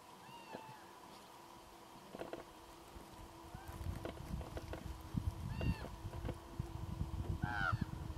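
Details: Ravens call in the background near Kuikko, Finland, close to the Russian border, giving a few hoarse, ringing calls spaced several seconds apart over steady low crunching and rumbling of a brown bear eating salmon close by.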